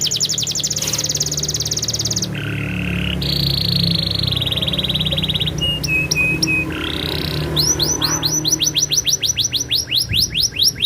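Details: Canary rolling song shifting between sections: rapid high trills, a lower buzzy steady roll, brief flat whistled notes, then sweeping downslurred notes speeding into a rhythmic series; faint low rumble beneath.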